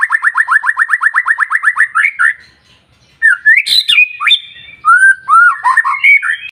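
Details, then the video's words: Song of a white-rumped shama, meant to stimulate other shamas to sing, opening with a fast run of about twenty identical sharp chipping notes, then after a pause rich looping whistles and buzzy squeaks. "PANCINGAN MURAI BATU SUPER NGOTOT,DI JAMIN BURUNG MURAI JADI GACOR"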